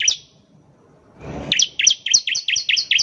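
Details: Bar-winged prinia (ciblek) in lively gacor song used as a lure to get birds singing: one sharp note, a brief rustling noise, then a fast, even string of about nine high, clipped chirps.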